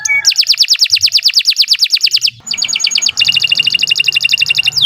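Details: Canary singing a long, continuous song used as a training recording: a rapid series of descending whistled notes, a short pause, then fast, even trills.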